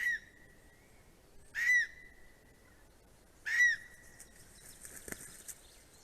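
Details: Greater spotted eagle at its nest in Estonia, recorded by a nest camera on 9 April 2020: three clear whistled yelps spaced about two seconds apart, each with a sharp onset and a level tone.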